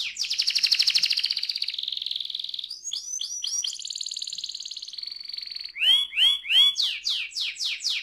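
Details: Canary delivering a rolling song used as a trigger for other canaries: a long buzzy high trill, a short run of swooping notes and a steady roll, then loud, clear, downward-sweeping whistles repeated about twice a second.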